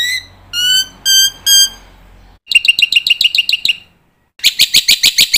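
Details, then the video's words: Black-winged myna training song full of filler phrases: four clear, steady whistled notes, then a quick run of bright chirps and a short burst of rapid, strongly repeated notes. "suara pancingan burung jalak putih gacor full isian masternya bikin jalak muda cepat bongkar isian"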